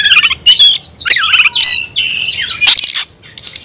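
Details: Kept white-rumped shama challenging a rival to fight: sustained bright whistles, falling slurred notes and dense harsh chatter, delivered loudly with barely a break.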